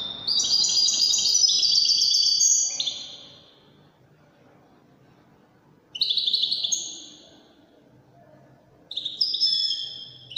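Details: European goldfinch performing Moroccan Wedani trills: a long burst of bright, fast twitters, then silence, then two shorter high bursts of rippling notes about three seconds apart.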